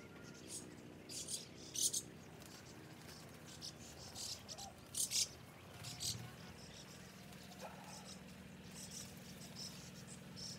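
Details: White-cheeked starlings feeding and quickly eating everything up: scattered harsh, noisy screechy bursts, two louder clusters near the start and middle, over a steady low hum.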